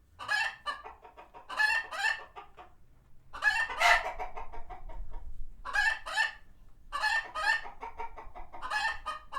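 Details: An alert flock of farm sanctuary chickens retreating from a passing hawk, calling in repeated harsh, excited cackling bursts, one especially loud squawk midway, brief pauses between volleys.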